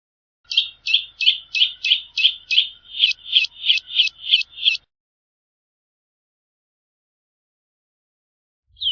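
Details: Eurasian nutcracker calling: a quick run of about twelve harsh, buzzy notes repeated roughly three times a second, then a pause with a single short note at the end; no other sounds.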